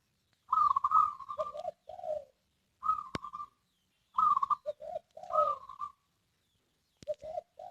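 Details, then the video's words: Zebra dove song of repeated staccato cooing phrases, alternating higher rolling trills with lower, throatier notes, delivered in bursts every one to two seconds; a couple of sharp clicks are also heard. "suara burung perkutut"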